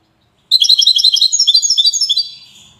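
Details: Song of a wydani European goldfinch from Safi, Morocco: a sudden rapid run of liquid twittering notes, about twenty quick pulses in under two seconds, then fading away.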